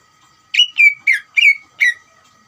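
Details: Greater green leafbird song used as a lure to provoke another leafbird into answering: five loud whistled notes, each with a sharp onset sliding down to a steady tone, spaced about a third of a second apart.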